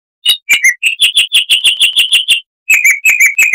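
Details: A chestnut-vented warbler from southern Africa, known for a clear, bell-like song loud for its small size, delivers quick repeated chirps, roughly three per second, with a short break before a further string.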